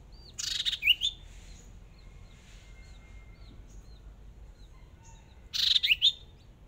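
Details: A Chinese hwamei decoy bird, sparring for the first time in a small cage, gives two bright bursts of rich, tumbling whistled phrases about five seconds apart, with faint chirps in the quiet stretch between.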